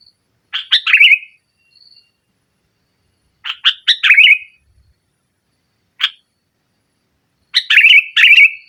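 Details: Sooty-headed bulbul singing hard in the nggaruda style, a lure for a silent bulbul: three bubbly phrases, each of a few staccato notes running into a rolling warble, spaced by pauses, plus one lone sharp note midway.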